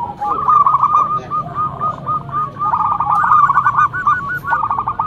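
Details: Loud local zebra dove used to lure others, delivering a long run of quick stuttered coos that swell, dip and rise again into a dense rolling phrase.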